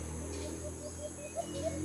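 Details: White-eared brown dove, a decoy in a sound trap used to lure wild doves in the Philippines, gives its padod call after sensing a wild bird coming from below: a quick run of about eight short, clear, low coos over a constant electrical hum.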